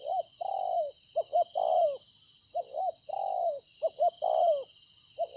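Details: Field-caught spotted dove decoy at Konlong, 26 September 2020, giving repeated coo phrases, each made of quick paired notes and a drawn-out falling coo, with a constant high background hiss.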